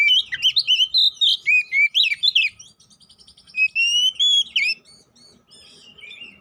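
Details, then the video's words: Fighting lure song of a poci Oriental magpie-robin: quick sequences of bright whistles and sharp slurs, a short pause, then drawn-out rising whistles before fading. "Pancingan Burung Kacer Poci agar Cepat EMOSI, GACOR ON KONSLET‼️"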